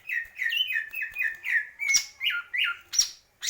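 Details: Greater green leafbird giving a measured series of rich whistled notes, each bending down, roughly three per second. A few sharp high clicks are mixed in near the end.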